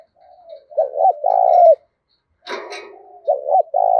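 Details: Spotted dove singing in the "đồng thổ" voice, a sharp, fine voice used to provoke wild birds into fighting: low, hoarse cooing phrases, two quick rolling notes then a longer drawn coo, with softer coos from another dove and one brief clattering noise.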